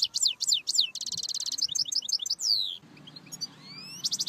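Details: Goldfinch singing bright, high phrases: three downslurred chips, a rapid buzzy trill, then a cascade of twittering notes, a brief pause with soft calls, and a rising whistle that leads into a short buzz.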